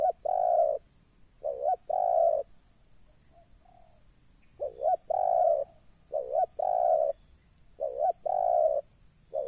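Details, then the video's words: Spotted dove calling to attract wild doves, repeating a pattern of two short rising notes then a sustained low coo, five phrases in under ten seconds, a faint soft coo heard in one gap. "Mikat Terkukur..ll Keren kalau Burung liar Sudah Turun"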